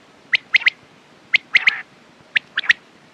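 A quail gives sharp, liquid three-note calls, each quick triplet repeated about once a second against a quiet background.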